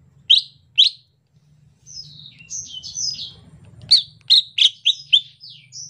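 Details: A greater green leafbird in the rainy season gives a relaxed song: two sharp high chirps, then a soft run of varied warbled notes and a fast burst of loud, bright chirps, over a faint low hum.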